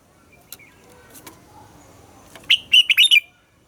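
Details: Double-note morning song of a red-whiskered bulbul, used as a training model for caged birds. A soft lead-in gives way to one loud phrase of quick, looping whistled notes that stops sharply.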